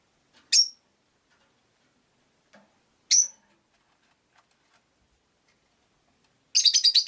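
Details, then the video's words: Rosy-faced lovebirds kept in a cage by a window, five birds: two sharp, single high chirps about two and a half seconds apart, then a fast stuttering run of raspy chirps. "Lovebird Chirping Sounds"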